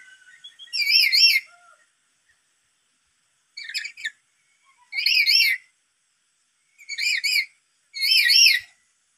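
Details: A black-capped lory provoked by a played lure call gives five loud, shrill, wavering, screechy bursts, each about half a second long, spaced one to two seconds apart, with silence between.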